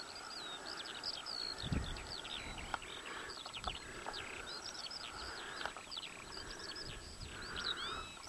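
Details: Eurasian skylark at Adderstonlee near Hawick, a rapid unbroken run of thin chirps and twittering notes carried over a constant low hum and broadband rural background noise, with one louder low thump.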